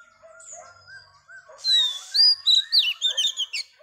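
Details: Female Oriental magpie-robin song aimed at stimulating males: faint soft whistles and chirps, then a hissing burst and a lively series of loud, slurred whistled notes.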